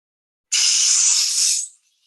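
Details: Burrowing Owl young give their alarm call from inside the nest burrow: a single dry, hissing buzz lasting just over a second, mimicking a rattlesnake to warn intruders away. The call is heard only close to the burrow.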